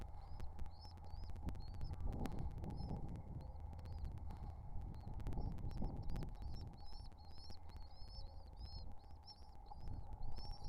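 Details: Hungry pigeon nestlings being fed; thin, squeaky, high peeps repeated in quick bursts throughout, over a steady low hum and constant rumbling background noise with scattered clicks.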